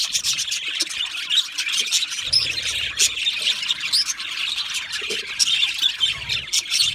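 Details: Budgerigars chirp and squawk nonstop in an aviary, a crowded high twitter with sharp individual calls popping out every second or so.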